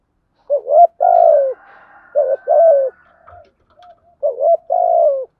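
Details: Spotted dove cooing in the morning, played to stir wild doves as a decoy lure: three phrases of short hollow coos, each ending in a long, drawn-out, falling coo, with a faint higher tone between phrases.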